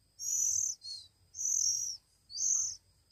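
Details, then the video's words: A week-old Oriental magpie-robin chick begs during hand-feeding, giving three long, grating, high hisses spaced about a second apart, each rising quickly and cutting off sharply. "Anak Kacer Umur satu Minggu"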